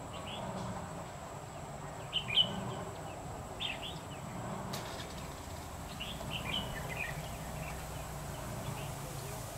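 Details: Red-whiskered bulbul recorded during trapping in Nghệ An, Vietnam, on 2 October 2019, with a decoy bird used to lure wild birds. Short, bright chirped phrases come in small bursts, with quiet gaps between them, over a steady low rumble and a thin constant high whine.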